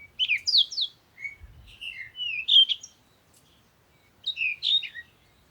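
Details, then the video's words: Singing bird giving quick, bright chirping phrases with downward-sliding whistles, pausing about a second between bursts; a soft low thud near the start. "Sound of the Birds"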